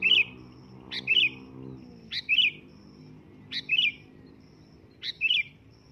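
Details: Loud calls of a sooty-headed bulbul: five brisk, bubbly chirping phrases roughly every 1.2 seconds, each opening with a sharp rising note before a rolling double chirp. A soft low hum runs underneath, with a thin high tone.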